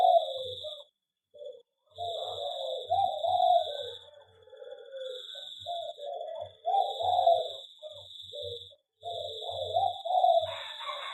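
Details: Zebra dove (perkutut) housed in an aviary repeats low, bubbling coo phrases every few seconds, with brief pauses between them. A steady high tone persists and a short rustling noise comes at the end.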